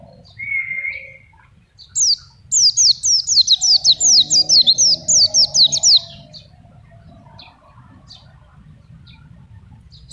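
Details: Oriental white-eye of the wild forest type in full song, offered for tutoring juveniles and luring wild birds. A brief low whistle, then a rapid run of high, slurred downward chirps lasting about four seconds before quiet.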